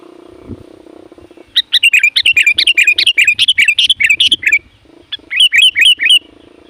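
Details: Loud, varied sooty-headed bulbul calling meant to attract wild bulbuls, a fast continuous run of bubbly chirps and warbled notes lasting several seconds, then a shorter rapid series, over a low droning background hum.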